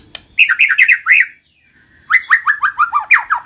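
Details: White-rumped shama song for prompting lazy shamas to sing: two rapid bursts of rich, descending chopped notes repeated several times a second, separated by a brief pause.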